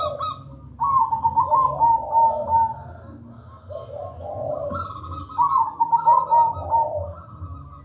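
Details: Melodious zebra dove song in full voice: two rippling, trilled coo phrases, each about two seconds, separated by mellow lower coos, with faint high chirps from another bird and a low background hum.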